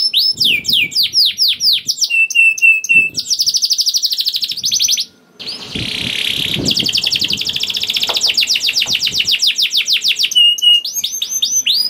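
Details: Canary in full 'gacor' song, used as a lure to set other canaries singing: fast high trills and sweeping whistles, a brief pause, then a harsh buzzy stretch and long rapid rolling 'ngerek' trill.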